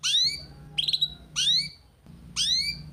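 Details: Canary master recording for training young birds: four bright upslurred chirps, each sweeping sharply upward, spaced about every 0.7 seconds over a steady low background hum.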